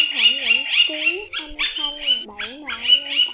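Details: Flock-gathering call of a rufous woodpecker, a sound used for trapping: quick runs of high, sharp, nasal notes repeated several times a second, broken by short pauses, over lower wavering tones.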